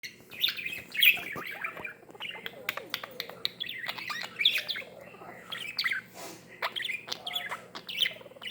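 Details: A pet budgerigar (Melopsittacus undulatus) playing with a glass chirps and warbles in quick, scratchy bursts of high notes.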